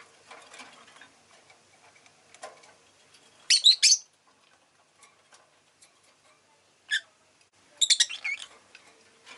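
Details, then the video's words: Rosy-faced lovebird calling clusters of sharp, rasping chirps, with a single note between them, over faint ticking and clicking sounds. "Lovebird Chirping Sounds"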